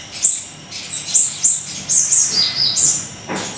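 A small songbird gives very high, thin whistled notes, some slurring downward, in a quick uneven series over a faint background hiss.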